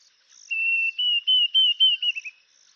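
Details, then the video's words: Clear whistled series from a Diederik cuckoo, a long even note leading into repeated, gently arched notes that accelerate and tighten into a quick finish, with a soft high buzz in the background. "Diederik cuckoo"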